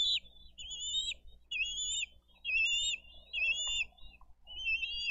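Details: Adult bald eagles feeding eaglets with fish at a Dade County nest camera, 22 April 2023; loud, piercing, stuttering whistled calls, each a short quavering burst, repeated about once a second.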